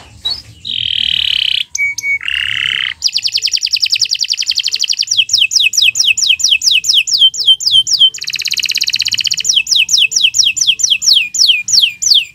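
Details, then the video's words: Canary training song: harsh buzzy bursts, a short clear note, then long rattling trills and rapid runs of descending whistles, loud and continuous. "Kicau Burung Kenari 144 II LUAR BIASA GACOR PANJANG Cocok untuk Masteran"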